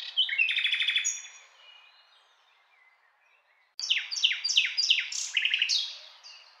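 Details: Common nightingale giving a loud rattling phrase, falling silent for over two seconds, then singing a run of repeated downward-sweeping whistles followed by buzzy chattering notes.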